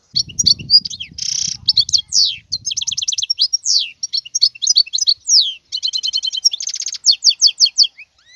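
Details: European goldfinch, wild, pouring out continuous twittering song with buzzy rattles and downslurred whistles; a low rumbling noise underlies the first three seconds.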